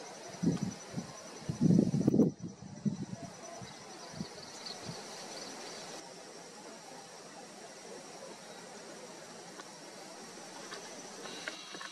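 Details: Low rustling and handling thumps early on, then steady outdoor background noise with a faint high, even whine throughout.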